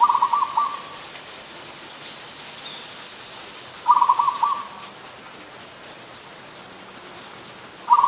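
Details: Adult zebra dove in Ubon Ratchathani, Thailand, recorded 24 December 2020, giving a rapid staccato cooing trill, a short burst of clipped notes repeated roughly every four seconds, with quiet hiss between calls.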